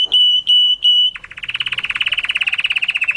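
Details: Canary song meant for mating: three long clear whistled notes followed by a fast, even trill of repeated pulsing notes.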